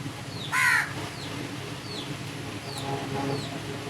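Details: One short, hoarse caw from a crow stands out early, followed by a string of faint, thin downslurred chirps from small birds over soft background hiss.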